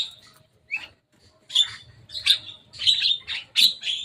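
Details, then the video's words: After a quiet start, a Javan myna playing on top of a cage breaks into rapid, harsh, rasping chirps, roughly five loud bursts in the last two and a half seconds. "Jalak kebo datang main di atas kandang."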